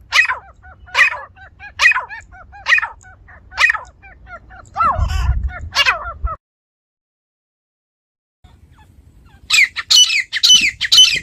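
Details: Grey francolin in a village setting, first a run of loud harsh calls about every 0.9 seconds over soft chirping and low rumble, then a silent gap, then higher rapid calls near the end.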